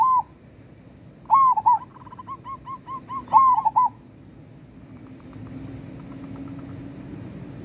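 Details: A local zebra dove sings vigorously: a short soft coo, then two bursts of rolling, bubbly coos linked by a run of evenly spaced mid-pitched notes. Low background hum continues after the song.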